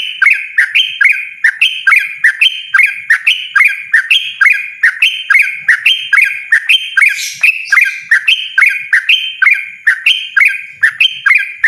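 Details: Yellow-vented bulbul in loud, persistent 'ropel ngotot' style: a long rapid run of bright, slurred two-part notes, each dipping then leveling, repeated a bit more than once per second without pause.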